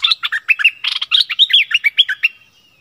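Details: Streak-eared bulbul serving as a decoy bird, 16 February 2021: a quick, lively sequence of loud chirps and twittered notes, closely spaced and varying in pitch, ending with a fading thin whistle.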